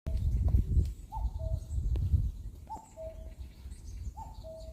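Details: Cuckoo in a forest repeating its two-note call, a higher note falling to a lower one, roughly every two seconds, over a low rumbling background.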